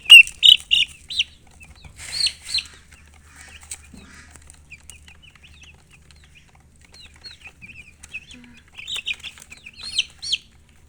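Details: Chirping baby chickens: bursts of loud high peeps open and close the recording, with a quieter stretch of soft, thin cheeps between them over a low hum.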